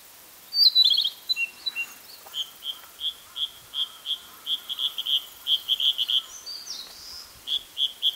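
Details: Male Narcissus flycatcher singing in Hokkaido on 6 July 2014: a brief high trill, then a long run of clear whistled notes, rapidly repeated, ending with a few more after a short pause.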